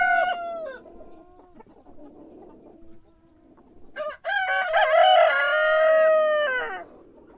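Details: Cock crowing in the morning: the tail of one crow opens the recording, a quiet low stretch follows, then a full crow with a stuttering start and a long, wavering sustained note.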